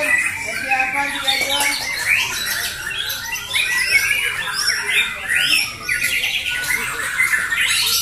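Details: At a bird contest at JBC Jatisari in Bekasi on Friday 14 June 2024, competing fighter white-rumped shamas fill the air with rapid, harsh chattering notes and clear whistled flourishes; a crowd murmurs faintly.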